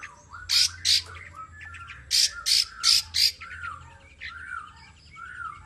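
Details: Long-tailed shrike, a tame kept bird, giving harsh, rasping squawks in pairs and a run of four, between softer, lower warbled notes; part of a performance used to prompt other birds.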